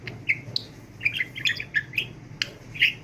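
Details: Pet budgie practising talk, said to speak without breathing: a few seconds of squeaky, slurred syllables and clicks in quick succession, recorded in a small room.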